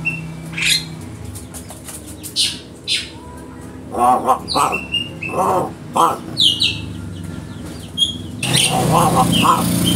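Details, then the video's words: Crow imitating human speech: a run of short, raspy, voice-like syllables delivered in quick succession, mixed with high chirps from small birds and a low engine hum underneath. "Masteran Burung Gagak Bicara Taqdir Burung gagak Bisa Bicara"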